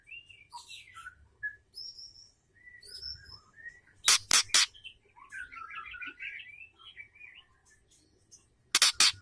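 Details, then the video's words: Female white-rumped shama, used to provoke caged males into song, producing short whistled phrases, a quick warbled trill in the middle, and two bursts of loud broadband clicks. "MURAI BETINA GACOR AMPUH UNTUK PERANGSANG MURAI JANTAN"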